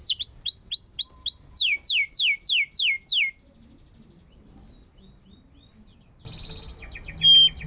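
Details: Canary master-training song to stir silent birds into singing: rapid descending notes, first short then longer and steeper, for three seconds, followed by near silence and a burst of faint noise with one brief high chirp.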